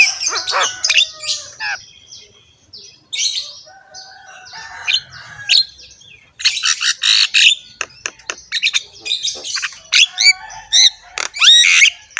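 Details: Javan myna, a caged bird in full song, used as a master recording to prompt other mynas to sing, with a rough voice and a rich repertoire: harsh bursts mixed with whistled and rising notes, pauses between phrases.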